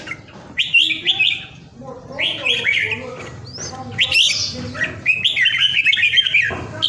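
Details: Home-kept Vietnamese red-whiskered bulbul in a cage gives its strong 'ground airplane' song: sweet, slurred whistles and rising notes in several separate phrases, with clicks and some scratchy sounds in between.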